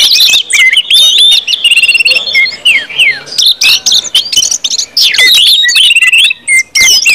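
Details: Orange-headed thrush in full ngeplong song, played to trigger singing in others: lively mix of whistles, fine rattling trills and long descending slides, delivered almost without pause.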